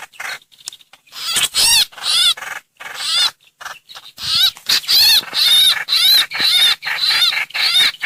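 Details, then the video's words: Streak-eared bulbul, a lure recording of the harsh 'hoành hoạch' call: rapid bursts of scratchy, chattering notes with wavering whistled overtones, grouped in loud half-second phrases about twice a second after a quieter, broken start. "Tiếng chim trao trảo- hoành hoạch mồi mới 2022"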